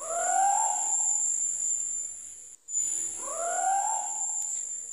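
Two drawn-out, mewing notes from a scops owl, each swelling upward then easing off, about two and a half seconds apart, over a steady high insect drone.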